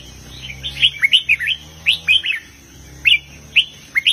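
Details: Red-whiskered bulbul in southern master-song style, strong phrases: loud, clear whistled notes swooping up and down in tight groups of two to four, with short gaps between groups and a background hum.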